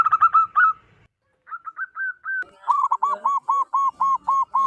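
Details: Loud-voiced local wild zebra dove, recorded for luring: a quick stuttering burst, then a few separate rising coos, ending with a steady series of looped, bouncing coo notes about three per second.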